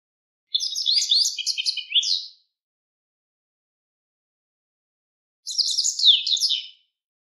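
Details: Japanese wagtail singing by a riverside: two bursts of rapid, high chirping and twittering notes, each about two seconds long, separated by a few seconds of silence, with no other sounds.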